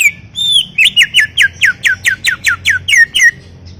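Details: A greater green leafbird delivers a fast series of about a dozen loud, downward-slurred whistled notes, evenly spaced, over a soft low background hum.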